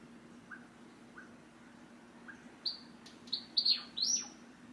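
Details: A tame pet Java sparrow in its cage, which starts singing and giving contact calls when its owner gets up to leave, as if calling the owner back: soft faint chips, then bright, high clinking notes with quick rising and falling whistles over a low indoor hum.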